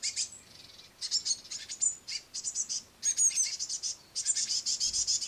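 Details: Brood of great tits on a window sill fed by a parent with crushed madeleines: bursts of high, raspy, chirping begging calls, separated by brief pauses, rising to a dense chorus at the end.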